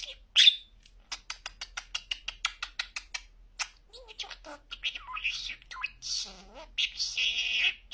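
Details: Pet budgie known for very clear talking: a series of fast, regular clicks opens, then scratchy, warbling chatter with word-like syllables builds toward the end.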